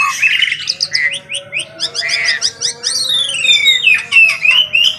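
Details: Asian pied starling singing in the morning, a busy run of chirps, squawky notes and clear whistles sweeping up and down, with rapid ticking notes repeated several times a second and a faint steady low hum beneath.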